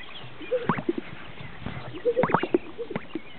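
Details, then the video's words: On a northern Utah lek, displaying greater sage-grouse give two clusters of hollow gulping blips and sharp pops, one near the start and a louder one after two seconds. "Greater Sage-Grouse"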